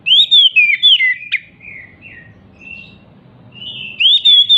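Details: Oriental magpie-robin described as excited and leaping, its song used to get silent magpie-robins singing: loud descending whistles and a sharp click, a quieter stretch of soft warbled notes, then another burst of bright whistles.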